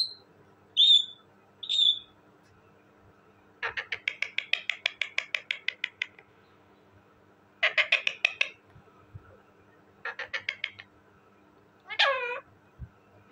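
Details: Talking parrot kept indoors: a few clear whistled notes, then three bursts of rapid harsh pulsed chatter, and a loud wavering squawk to finish, with a faint steady hum behind.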